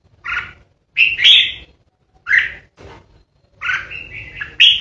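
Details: Lure red-whiskered bulbul kept in a cage, delivering 'ché' song to challenge rivals: loud whistled and slurred notes in short bursts, a longer warbling run near the end, with low hum in the background.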